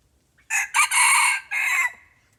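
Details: Red junglefowl crowing while being lured with a decoy bird: a loud, harsh crow in four segments, a short opening burst, a brief second note, a long strained middle and a trailing fall, over a quiet background.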